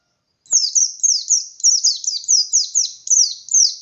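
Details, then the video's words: Singing white-eye of the bustomi type, delivering the energetic open-beaked ngalas song used to provoke other white-eyes into singing and fighting: a rapid chain of about thirteen high, thin, descending whistled notes, each sliding down, with no other sounds. "Burung Pleci Gacor Pendongkrak Emosi Pleci Lain"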